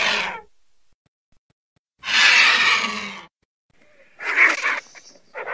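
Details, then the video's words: Griffon vulture (Gyps fulvus) giving harsh, hissing, wheezy rasps in short bursts, broad and noisy rather than tonal, with quiet gaps between them. "Odgłosy Sępa. Dźwięki jakie wydają Sępy"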